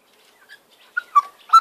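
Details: A butcherbird family of mother, father and offspring in Sydney, on a warm spring afternoon, practising territorial calls: a few soft, then three loud, fluty whistled notes in quick succession, mid-pitched with a slight drop between them.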